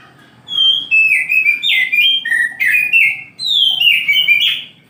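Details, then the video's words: An oriental magpie-robin (kacer) sings in the morning, pouring out continuous clear whistles, each phrase sliding downward, with some harsher buzzy notes mixed in and a brief pause midway. "KICAU KACER DI PAGI HARI"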